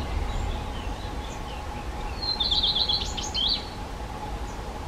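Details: A black redstart gives one short, high song phrase, a quick rattling trill followed by a scratchy, crackling flourish, over a steady hum and low rumble; a common redstart sings in the background.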